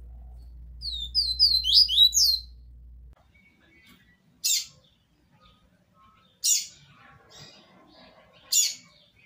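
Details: Live-recorded double-collared seedeater "tui tui zel zel" song, meant for tutoring young birds: a quick run of high, sweet whistled notes, then three harsh scratchy bursts about two seconds apart, over a low hum at first. Finding: Double-collared seedeater.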